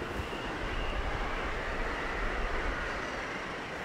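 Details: Loud, broad rumbling from a passing vehicle or train, with wind-like noise and no animal calls.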